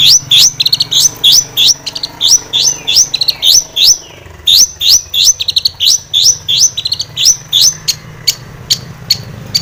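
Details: Long-tailed shrike singing energetically with fills, a lure recording to make shrikes sing in agitation: dense bursts of sharp, high rising chips and squeaks, some in quick doubled pairs, continuing without pause over a faint low hum.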